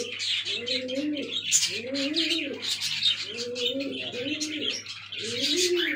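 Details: Black fantail pigeon squabs with four evenly spaced bowed low coos, each about half a second long, over continuous shrill chirping and squeaking, a low electrical-like hum beneath.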